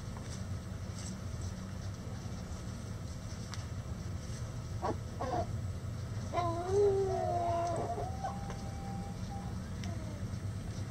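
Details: Backyard rooster crowing in light rain by the chicken coop: one drawn-out, harmonic crow of about a second and a half, wavering and then holding a level tone, over steady rain patter and low rumble.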